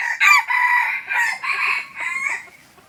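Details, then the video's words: Aceh junglefowl used as a pikat decoy gives one drawn-out raspy crow of several linked syllables, loud and harsh, fading away at the close. "Ayam Hutan Aceh # Pikat Ori."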